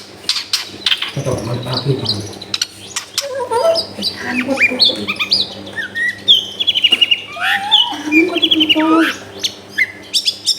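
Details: Long-tailed shrike singing, used to stimulate a reluctant shrike to sing, recorded in a densely populated residential area: a rapid, varied medley of chirps, trills, rising and falling whistles and scratchy notes, with a low rough sound early on.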